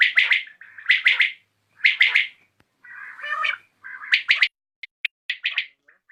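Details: Evening calls of a common quail: bursts of quick triple notes alternate with longer, hoarse, wavering lower sounds, ending in scattered sharp clicks and short notes.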